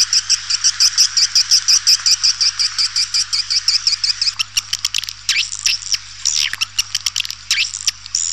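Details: Lure recording to attract swiftlets: a fast regular train of high buzzy chirps, close to three per second, for four seconds, then rapid clicks and thin, downslurred whistled calls.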